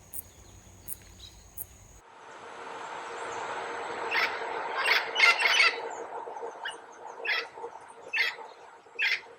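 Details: Red-lored Amazons along the Chagres River path near Gamboa, Panama, in tropical forest, give harsh, raspy squawks in short clustered bursts, several within a few seconds, over a steady background hiss.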